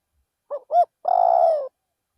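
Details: Spotted dove, a decoy bird, calling at a rice field. One phrase: a short note and a louder arched note, then a sustained, vibrating coo lasting about two-thirds of a second. Still background.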